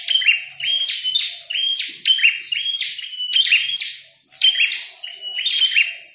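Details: Prinia with a red head, said to be fighting and singing energetically: rapid high chirps and buzzy trills grouped into phrases about a second long, repeated almost once a second with a brief pause near the end.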